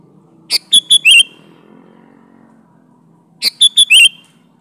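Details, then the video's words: Energetic kutilang (Sooty-headed bulbul) song with wild-style variations, played to attract bulbuls: two identical phrases about three seconds apart, each a buzzy chirp, paired clear whistles and a slurred warbled finish, over faint background hum. "Variasi Suara burung Kutilang Gacor Full isian Alam"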